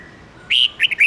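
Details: Song fragment of a red-whiskered bulbul with a mature wild voice, used to teach young birds. One loud whistled note is followed by three or four short, bouncing chirps in quick succession.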